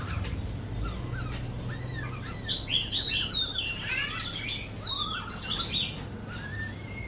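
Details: Warbled, rapidly varied whistling from a Cat Tien white-rumped shama singing against a recording, dense tangled phrases in the middle, with a low background hum throughout.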